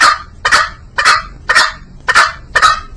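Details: Green junglefowl producing six sharp, harsh clucks in three seconds, each a brief rasping burst followed by a short pause, close and clear.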